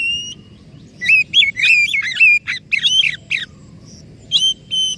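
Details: White-rumped shama song used as a lure to get a silent or stressed bird singing again: varied bursts of clear whistles, rich warbles and sharp chattering notes, with short pauses and a low background hum.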